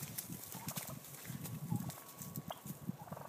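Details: On California's central coast, male wild turkeys battle for dominance, giving steady low pulsing notes throughout, with a few short higher chirps overhead.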